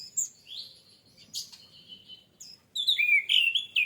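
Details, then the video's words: Orange-headed thrush lure song for getting birds to sing: thin high whistles and slurs, then a loud, clear run of warbled notes dipping and rising near the end. "PANCINGAN ANIS MERAH MEMICU CEPAT BUNYI DAN GACOR!"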